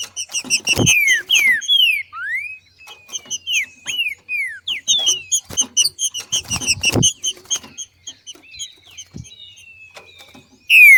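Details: Female rufous-bellied thrush, trinca-ferro, giving the macheando calls that stimulate other thrushes to sing: dense bursts of high chattering notes mixed with descending slurred whistles, a pause, then more chatter and thin whistles.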